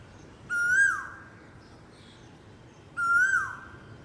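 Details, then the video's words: An Asian koel gives two loud, clear whistled 'ku-oo' calls that rise and then slide down, about two and a half seconds apart, over faint background hiss. "KOYAL BIRD CALLING"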